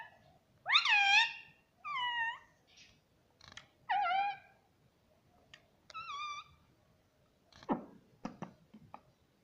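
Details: Indoor pet rose-ringed parakeet mimicking speech ("mummy"): a strong, downward-curving harmonic syllable followed by softer repeated word-like notes about every second, then faint clicks.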